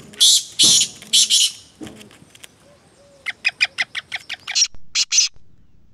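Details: Black francolin calling: loud harsh grating bursts in an uneven sequence, then a run of about a dozen short sharp clicks and two more loud harsh notes.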